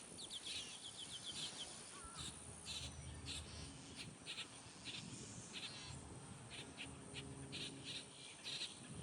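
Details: Grackle chicks being fed by a parent: quieter scratchy, hissing bursts come in irregular runs, with short rapid clicking notes near the start and a constant low background hum.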